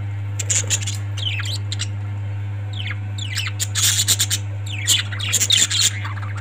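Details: Parrots giving scattered harsh squawks and short chirps in bursts, over a steady loud low electrical hum.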